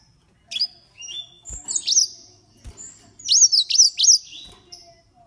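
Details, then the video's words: Green singing finches, 13 years old, singing high, bright phrases: sweeping whistled notes and quick rising-falling chirps in bursts, with short pauses and a couple of soft knocks between phrases. "Green singing finches"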